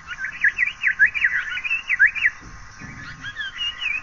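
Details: Asian paradise flycatcher calling: a rapid run of sweet, swooping whistled notes repeated about twice a second for two seconds, then softer, thinner notes with a faint low rumble in the background.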